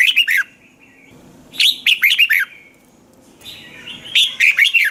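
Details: Red-whiskered bulbul from Thailand, song played to make caged birds lively: three energetic phrases of four to five fluty, down-curving notes, with a softer warble between them.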